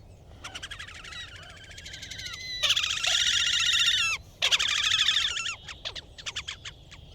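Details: Wild Slavonian grebe at Gavieze, Latvia, May 2024: stuttering trills rise into two loud, drawn-out squealing trills, then break into scattered short notes over a low background rumble.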